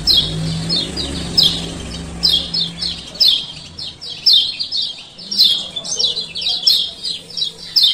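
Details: Clipped high chirps, repeated in a brisk pattern, from a male lemon-bellied white-eye of Lombok, used to coax reluctant birds into song. A low hum runs through the first seconds.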